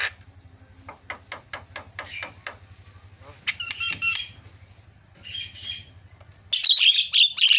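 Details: Javan myna tutor recording of fill-in song: soft clicking notes over a steady low mechanical hum, then a burst of harsh chatter and whistles midway, ending in loud, rapid, squawky warbling.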